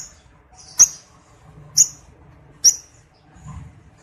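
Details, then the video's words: Breeding-condition male lovebird, lure sound meant to provoke other males into the ngekek trill; three short, piercing high chirps roughly a second apart, then a soft low rustle near the end. "Pancingan lovebird jantan, birahi ngekek."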